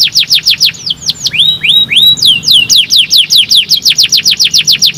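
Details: Singing canary, played as therapy to prompt other canaries to sing: rapid descending whistles interrupted by a few slower rising-falling slurred notes, then resuming the fast, evenly repeated downward notes.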